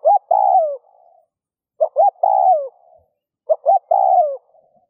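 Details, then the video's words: Spotted dove coo meant to stir other doves into cooing: three phrases about 1.7 seconds apart, each two quick clipped notes followed by a drawn-out, downward-sliding hollow coo and a soft trailing murmur. "Tiếng cu gáy RÚT BỔI hiệu quả , Chim cu rút bổi bài bản.chim cu gáy . cu gáy thúc gù kích bổi"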